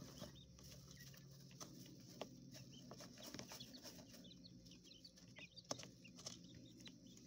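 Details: Coturnix quail chicks inside an enclosure, raised in a hotel room in a small urban setting; soft, short peeping chirps scattered through a steady low hum, with occasional knocks and rustles.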